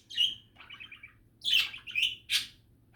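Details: Happy budgie chatter: a few separate bright chirps and a short buzzy trilled phrase, separated by near-silence, ending in a sharp squeak.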